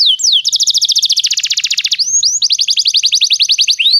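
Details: Canary song played to get a canary singing: a swooping note leads into a fast, even rolling trill of high repeated notes, a brief upward glide, then another long rapid trill.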